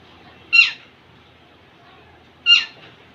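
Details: Young male Indian ringneck parakeet displaying to a female, producing a pair of short, coarse squawks two seconds apart against quiet background.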